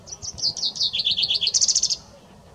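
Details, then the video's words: Loud common chaffinch song: a quick cascade of clear descending notes, then a rattling trill that jumps higher before ending abruptly, lasting about two seconds over a quiet backdrop. "OCELLS CANTANT - Pinsà comú - Pinzón común - Common chaffinch - Fringilla coelebs"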